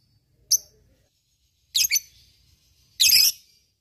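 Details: Lovebird calling to provoke rivals and train fighting birds: three short, shrill, harsh chirps, spaced about a second apart, with quiet gaps between.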